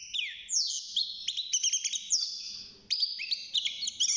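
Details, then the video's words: Young European goldfinch in a cage, six months old and just beginning to sing, delivering a fast tinkling twitter with descending slurred notes and a short pause before resuming. "الحسون بعد مرور ستة شهور أصبح يغرد"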